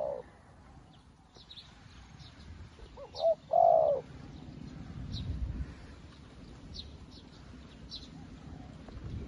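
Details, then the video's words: A newly caught spotted dove kept as a decoy calls to lure wild doves. It gives one short stuttering coo phrase ending in a longer, fuller coo, over a low rumble, with faint thin chirps above. "លលកថ្មីមែន តែធ្វើហៅព្រៃដូចធ្នាក់ចាស់"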